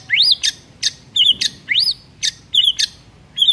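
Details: Morning song of a white-rumped shama, played to coax quiet birds into singing: high upward-sweeping whistles alternating with sharp clicking notes, repeated about twice per second.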